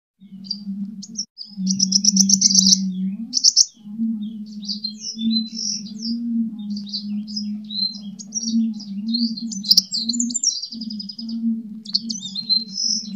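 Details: Sunbird in fighting song, used to lure and train birds. Continuous high, jumbled twittering with short buzzy rattles and squeaky slurred notes runs over a steady low hum throughout.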